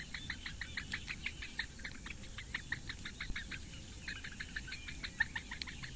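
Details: Four Eurasian bittern nestlings being fed by the female in Latvian reedbeds at Lake Engure, recorded by nest webcam in May. They give quick bursts of crisp ticks in short uneven runs with brief gaps.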